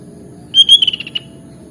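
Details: Sooty-headed bulbul of Java and Bali, Indonesia, delivering a brief bright phrase: a sustained high whistle followed by five or six rapid, evenly spaced chirped notes, over quiet background.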